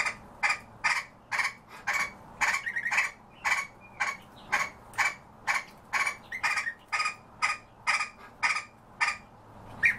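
European bee-eaters giving short, liquid, rolling 'prruip' calls, about two a second in an uneven series, over a faint low background hum.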